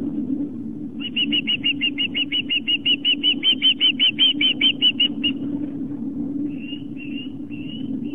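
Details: Osprey at a nest on Long Island, New York, 11 September 2007, 4:55 pm, during a fish delivery. A fast burst of about twenty-five piping chirps is followed by a pause, then three longer drawn whistles, over a low hum.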